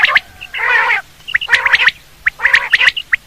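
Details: Quail hunting call. A rough, buzzy half-second squawk comes among clusters of sharp, clipped chattering notes, spaced about a second apart.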